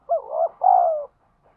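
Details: One thúc gù coo phrase from a spotted dove outdoors in the wild: a quavering, husky opening note joined to a steadier, drawn-out coo that falls in pitch. Silence follows.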